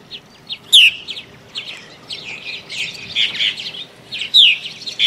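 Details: Purple martins back in early spring, around late February to early March, flying about nest boxes to choose cavities and find mates; chirps and gurgling chatter in bursts, with sharp downslurred notes near the start and end.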